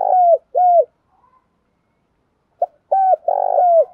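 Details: Female spotted dove calling to provoke males, used as a lure for cage-bird training: mellow low cooing notes, each a short downward-bending hoot, given in pairs with a pause between groups; quiet background.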